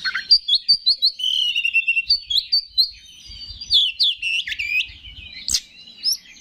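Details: Oriental magpie-robin song intended to provoke other males: rhythmic chirps at first, then long slurred whistles and sharp swooping notes, with a loud click and soft low thumps.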